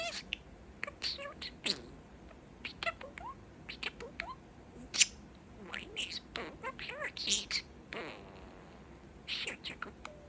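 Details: Indoor male budgie talking up close, blending phrases such as "What Bird?"; bursts of raspy, squeaky mimicked syllables and clicks separated by short quiet gaps.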